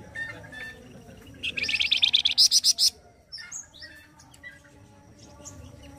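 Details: Flamboyan bird singing loudly and roughly, the kind of song used as a tutor for training other songbirds: a fast burst of about a dozen harsh, high buzzy notes lasting over a second, with faint chirps before and after.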